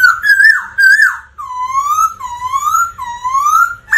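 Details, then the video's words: Black laughingthrush singing and displaying energetically: rich warbled whistles followed by three long, smooth whistles that dip then rise, each about a second long, clear and loud with little background. "Chim khướu Mun hót múa kích bổi cực căng"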